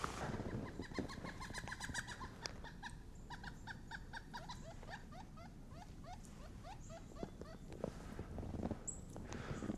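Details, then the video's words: Two pileated woodpeckers calling to each other in a park at about –25°C in brutal winter cold, giving fast series of loud, ringing, evenly spaced notes, one run answering another, over low wind rumble, crunchy snow and handling noise. "We've got two pileated woodpeckers calling each other."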